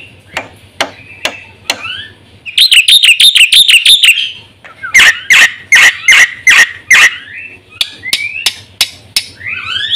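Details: A Black-winged myna songster heard on a lure and training track for caged birds. Scattered sharp clicks lead into a burst of high rapid chatter, then loud evenly spaced whistled notes and a few softer rising slurs.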